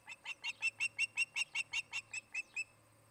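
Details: An Osprey at a Charlo, Montana nest shared by a breeding pair, on a nest camera on 17 August 2018, gives a fast, even series of about thirteen piercing high cheeps over two and a half seconds, then falls silent over a low hum.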